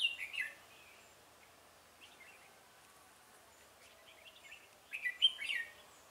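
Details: A caged decoy Red-whiskered bulbul luring rivals toward a trap, 17 November 2017: a loud whistled burst at the start, soft scattered notes in the middle, then another quick, rich warbled phrase near the end.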